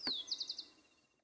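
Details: Wild chingolo, the rufous-collared sparrow, in Entre Ríos woodland, Argentina: one clear high whistle gliding down, followed by a brief four-note trill that fades out in stillness.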